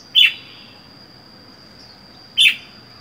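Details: Lone caged red-whiskered bulbul, wild-caught and held four months, utters two short sharp chirps about two seconds apart against a constant thin high-pitched hum.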